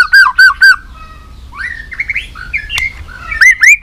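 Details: White-rumped shama in competition fighting song, a caged bird: three loud clear whistled notes with harmonics, a softer slurred warbling passage, a sharp click, then further rising whistles.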